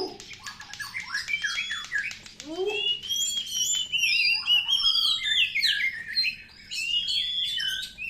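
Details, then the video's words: Oriental magpie-robin song used as a lure for birds lacking drive: a low human-like sweep early on, then a run of clear downward whistles and rich, varied warbled phrases. "PANCINGAN SUARA BURUNG KACER | KURANG EMOSI | SUARA KACER KONSLET!!!"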